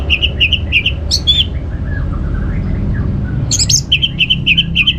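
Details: Orange-headed thrush trigger song to make other birds sing: strings of short repeated whistled notes, several per second, broken by loud harsh bursts and a quieter mid-section of soft whistles, over a low hum.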